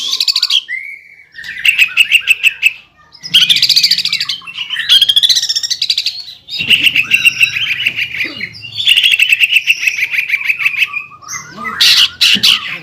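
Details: Lively greater green leafbird song in the rolling 'ngeroll' and 'nembak' manner, said to fire up other leafbirds: a series of dense, fast rattling trills, each a second or two long, separated by brief gaps and mixed with whistled slurs.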